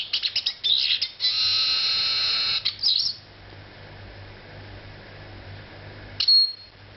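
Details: Eurasian siskin, a small woodland bird, singing: a quick burst of high chirps, then a sustained buzzy, wheezing phrase lasting over a second, a brief twitter, and a near-silent stretch ending in one thin high note.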